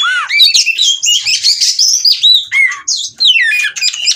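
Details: Breeding-condition oriental magpie-robin (kacer) from Cirebon, eager to mate and displaying: rapid bursts of sharp swooping whistles, rising and falling slurs, and scratchy notes, delivered in quick phrases with brief gaps.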